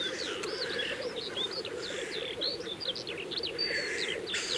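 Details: At an April 2024 lek, displaying Black grouse males give a steady, low, dove-like bubbling chorus that never pauses, with high, quick chirps and whistles from small songbirds above.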